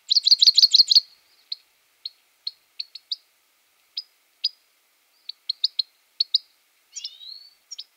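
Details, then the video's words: Grey-headed goldfinch twittering: a rapid burst of repeated chirps, then spaced single chips and a slurred buzzy phrase near the close. "Щегол седоголовый (Carduelis caniceps)"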